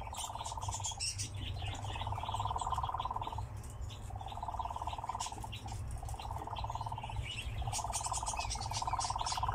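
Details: Song of a captive nightjar as it dances: bouts of dry, rattling churr about two seconds long, separated by short gaps, repeated four times, with thin twittering from other birds.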